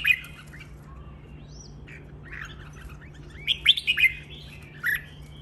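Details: Red-whiskered bulbul training song, fainter here: scattered soft chirps, then a clearer run of four warbled notes near the end over a constant low hum.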